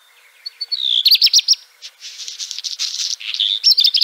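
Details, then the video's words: Black redstart (Phoenicurus ochruros) phrase: brief high whistles, a rapid series of bright clipped notes, then a long scratchy crackle, ending with another run of high notes. "Black Redstart Bird Call"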